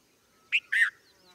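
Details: Softer red-vented bulbul call of two notes, a short chirp followed by a fuller, slightly buzzy slurred note, over faint background hiss.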